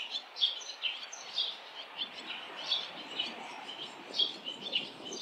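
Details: Fledging barn swallows with many adults and young circling a street of nests; bright, high twittering chirps come in loose bursts every half second or so over faint background hiss.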